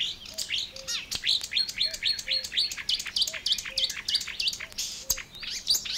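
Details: Marsh warbler in full song at Matsalu's water-meadows and coastal pastures, 1979 field recording: a continuous, hurried medley of high, varied chirps, slurs and buzzy notes with no pauses, faint low whistled notes in the background.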